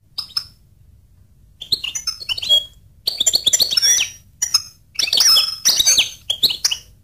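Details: Goldfinch singing in bursts of high, bright twittering: scattered chirps, then quick jumbled phrases of thin whistles and tinkling notes, broken by short pauses, with a quiet background.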